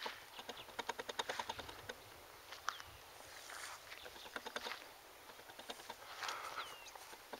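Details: Eastern clapper lark in Zastron, Free State, South Africa: a quick burst of dry, rapid clapping pulses over the first two seconds, scattered clicks afterwards, then a thin whistle that rises and bends near the end.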